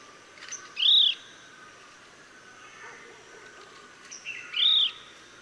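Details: Chestnut-bellied Nuthatch calling in Sattal, Uttarakhand, India: two clear, arched whistled notes rising then falling, about three to four seconds apart, each preceded by a faint short note, over a quiet background hiss.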